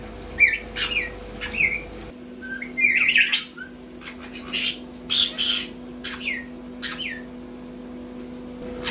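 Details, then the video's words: Pet caiques indoors, one trying to learn to say "come here", giving short rising whistled sweeps and harsh squawks in scattered bursts, with a steady electrical hum behind. "Caique's Trying to Talk?"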